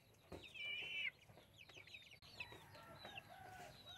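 An Ayam Cemani chicken gives a high, rolling trill lasting under a second, then a string of short, squeaky rising notes over a soft background hiss.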